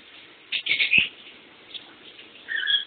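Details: Pet lovebird trying to sleep while someone takes a shower. Short bursts of shrill, scratchy chirps around half a second to one second in, a brief faint note near the middle, then a higher, drawn-out squeaky chirp near the end.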